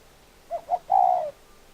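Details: Spotted dove giving one low, hollow cooing phrase: two short quick notes followed by a longer, drawn-out coo that slides slightly downward. The background is otherwise quiet.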